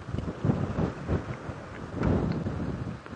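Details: Gusting wind buffets the microphone at sunset, with rumbling low surges and no animal voice.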